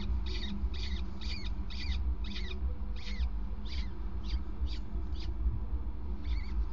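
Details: A male peregrine falcon at a Gasunie site, during a prey transfer on a grate at 20:54 on 5 May 2019, gives a harsh, rasping call repeated about twice a second over a steady low hum.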